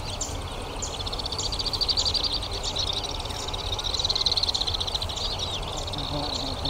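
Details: High chattering trills of Alpine swifts, Hérault, France, July 2022, swelling and fading in two waves over steady low background rumble.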